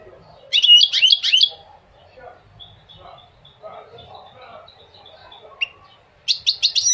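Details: Two bursts of rapid goldfinch twittering about a second long, separated by a quiet stretch with faint distant notes, in a recording intended to teach young goldfinches and motivate males to sing.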